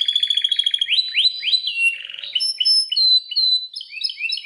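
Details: Belgian canary singing varied phrases: a fast high trill, swooping rising notes, a brief rattle, then long pure whistles and short chirps.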